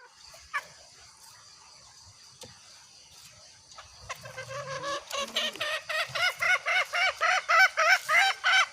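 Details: Female green junglefowl calling to draw in males, a recording used as a hunting lure: after four quiet seconds, a run of short harmonic clucking notes starts, about three or four per second, steady and growing louder toward the end.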